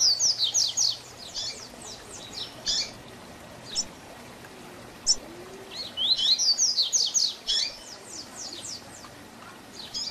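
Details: Tui Tui Zel Zel Diferenciado song of a double-collared seedeater, played as a lesson for young birds. Two loud rapid phrases of ringing high whistles, separated by isolated sharp chips and thin slurs.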